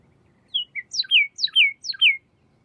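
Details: A Pyrrhuloxia sings a crisp series of whistles: two short introductory notes followed by three repeated downward-slurred phrases about half a second apart, clean and bright with near silence behind.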